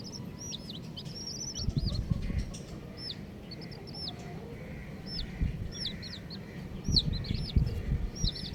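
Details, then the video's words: Colourful baby chicks peeping: high, thin, hooked chirps in quick clusters throughout, with scuffling and low rumbling underneath. "Colourful Baby Chickens | Cutie Chicks Chirping Sounds"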